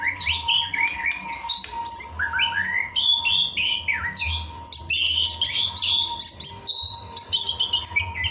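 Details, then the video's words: White-rumped shama song used as a masteran training recording for cage birds: dense, varied whistled and warbled phrases at high pitch, rapid rising and falling notes, with a steady low hum underneath. "Tips Masteran Isian Burung Murai Agar Cepat Bunyi dan Ngeplong"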